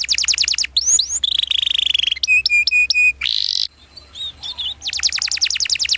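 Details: Canary song used as a lure and master recording for training young canaries to sing: a fast mix of high chirps, rapid rolled trills, whistled slurs and buzzy notes, changing pattern every second.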